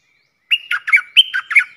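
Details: Red-whiskered bulbul kept caged as a luring decoy. It gives a single lively phrase of about six rapid, slurred, chirpy whistles with a thin sustained tone underneath, all in a quiet setting.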